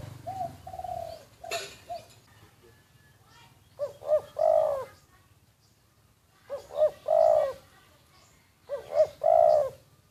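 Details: Decoy spotted dove, secretly recorded: faint soft coos and a sharp noise burst, then three clear low phrases roughly every two and a half seconds, each of hooked double notes and a longer coo.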